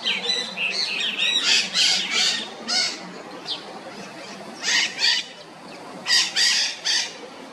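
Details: Red-shouldered macaws, known locally as maracanãs, filmed in good light: harsh, raspy squawks in short bursts, clustered early then in pairs near five and six to seven seconds, over a steady low background hum.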